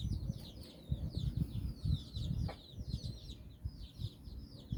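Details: Nine chicks walking with their hen in Bizkaia, Basque Country, exploring the world: rapid high cheeping peeps run throughout, over frequent low thuds and rustling close by.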